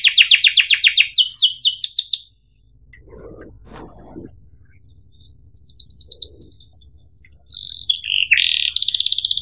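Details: Singing canary in a training recording for young birds: a sharp, fast descending trill for two seconds, a quiet gap with low knocks, then high chattering trills and buzzy rolled phrases return.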